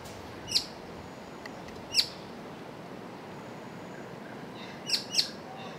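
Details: White-cheeked honeyeater (Phylidonyris niger) calling while searching for its mate in bush, darting between perches: sharp, high, clipped notes, single and paired, spaced one to three seconds apart over a soft background hiss.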